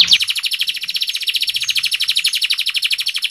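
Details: Canary trilling to spur inactive canaries into singing: a fast, steady, rattling high trill of evenly repeated notes, about three per beat, throughout.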